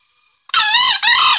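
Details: Green junglefowl (Gallus varius) courting a hen: a loud, harsh, squealing two-part crow, a longer wavering first note broken by a short gap into a second, slightly falling note, after a faint high insect hum.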